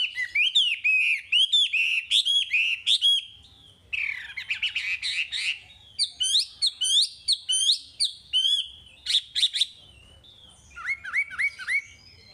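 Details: Chinese hwamei singing, a recording meant to train caged birds: energetic repeated whistled phrases, rapid chirped series and looping notes, ending with four evenly spaced clear downslurred whistles.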